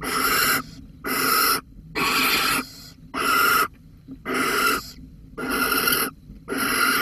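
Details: Barn owl in Holten, 13 May 2020, over a mouse: a steady series of seven loud, rasping hisses, each roughly half a second, repeated almost once per second with brief silences between.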